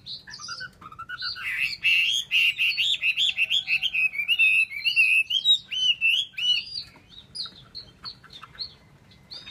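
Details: Caged Chinese hwamei kept as a songbird in Vietnam, singing a loud, varied song of rich slurred whistles and rapid repeated notes, about two per second, mostly high-pitched, with a faint low hum underneath.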